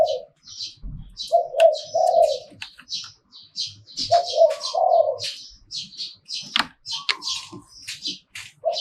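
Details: Spotted dove giving หลิ่วตัน song, short two-part coo phrases separated by several seconds, set against busy chirping of other small birds.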